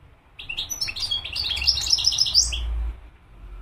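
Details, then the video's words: Continuous, bright twittering phrase from a European goldfinch lasting about two and a half seconds, with rapid liquid chirps and short buzzy notes, against a soft low rumble. "تغريد الحسون مقنين"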